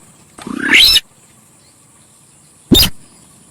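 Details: Javan pied starling, used as a lure recording, giving a loud harsh burst with an upward-sweeping buzzy phrase, then a short noisy rasp after a pause; steady high-pitched hiss in the background.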